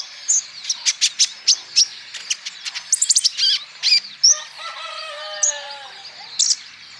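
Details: Male olive-backed sunbird, Natuna, singing as a lure for other birds: quick high ticking notes and a rapid trill burst, then softer drawn-out, gently falling whistles.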